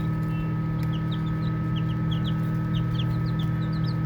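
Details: Baby chicks chirping during play, here sparser: single high downslurred peeps spaced irregularly, roughly four per second at most, above a loud steady low drone.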